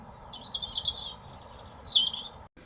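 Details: Common starling, one of two perched at a treetop near their nest, calling; a thin wavering whistle followed by a loud, high, harsh descending screech.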